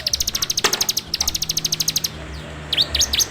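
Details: Bar-winged prinia captured on Android for bird-training use: quick, even trains of high metallic ticks in two bursts, ending with a few rising-and-falling chirps.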